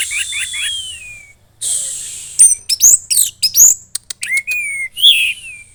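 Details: Loud, varied song of a caged red-headed thrush from Klaten, Central Java, Indonesia: thin high descending whistles, a noisy hiss, then sharp chips, clicks and short falling whistled phrases in quick, irregular succession.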